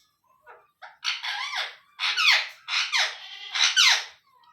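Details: Indian ringneck parrots kept as pets indoors, young being fed by an adult; harsh, rasping squawks in a broken series of five or six bursts, with soft music in the room.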